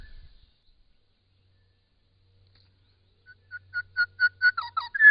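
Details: Grey shrike-thrush song from Australia, in spring: after a long quiet stretch, a run of clear whistled notes starts, repeated and quickening over the last two seconds, ending in a louder, richer phrase.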